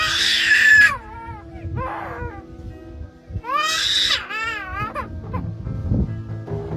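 Black-collared starling giving loud, harsh, wavering wails that rise and fall, in bursts about a second apart, over a steady music bed.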